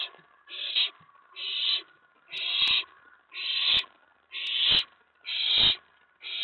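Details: On 19 May 2017 at night, an owlet inside its box calls excitedly when an owl or owlet comes to the tray after a mouse drop; rough hissing rasps about once a second over faint steady hum.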